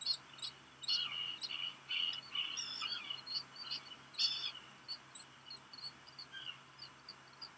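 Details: Black guillemot chick in a Maine nest on Seal Island National Wildlife Refuge, 13 July 2021, calling for a parent arriving with rock gunnel; high peeps mixed with lower drawn-out wavering calls early, then spaced single peeps.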